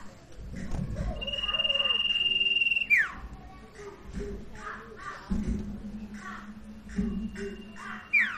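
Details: Sirtu song played to coax a quiet bird into singing: a long level trill dropping into a falling whistle, followed by a series of short chattering notes and another brief trill at the end, with low background hum.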